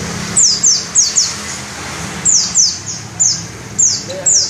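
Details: Clear series of piercing, high down-slurred whistles from a white-eye, singly and in pairs, evenly spaced across the passage, with little else but soft low hum.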